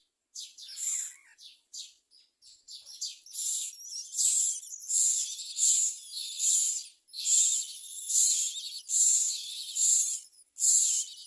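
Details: Common myna chicks in the nest give harsh, rasping screeches, roughly one burst a second, high-pitched and insistent, begging because they have too little food. No other sounds stand out.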